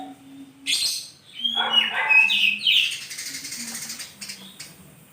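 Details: Oriental magpie-robin singing in the morning: a varied stretch of whistled and scratchy notes, some sliding, building to a loud jumble in the middle and fading out, with a faint low tone repeating underneath.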